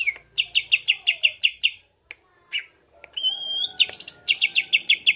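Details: Greater green leafbird, song played to provoke other birds: fast repeated sharp chips, a pause with clicks, a long pure whistle with overtones, then more rapid chip series.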